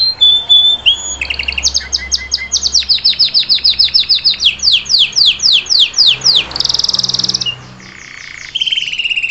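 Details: Salsa canary song meant to teach a chick to sing, a varied sequence of whistles, rapid descending sweeps, a bright rolling trill and short repeated notes, with a faint low hum behind.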